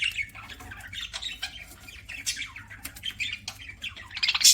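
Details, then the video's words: Budgerigar kept as a pet chatters steadily while eating, a dense stream of scratchy chirps and squawks that ends in a loud, sharp burst. "PARAKEET EATING SOUNDS"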